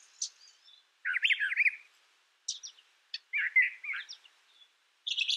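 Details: Brown thrasher singing: short varied phrases of buzzy, warbling notes with a few sharp high chips, set apart by brief pauses, in a quiet background.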